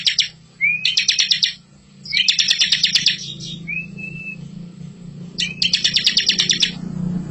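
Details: Rolling bar-winged prinia song meant to prompt young birds: rapid buzzy trills of about a second, preceded by thin rising whistles, with a steady low hum throughout.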